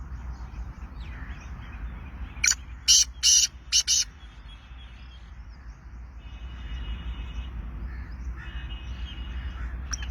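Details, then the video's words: Sindhi black francolin (kala tetar) calling: one loud phrase of five harsh, clipped, grating notes packed into about a second and a half, followed by faint thin high tones from distant birds over a steady low rumble. "Sindhi Kala Tetar Awaz"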